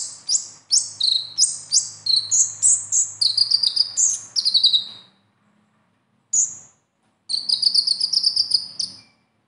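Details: Sunbird song (konin, kolibri ninja), the besetan type used to prompt a captive bird to sing: a long run of fast high chirps, then silence, a single note and a final burst of rapid twittering.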